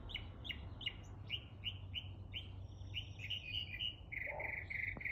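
A Northern Mockingbird repeats quick, bright slurred notes about three per second, then drops into harsher, nasal mewing phrases like a cat's meow, over a low background hum.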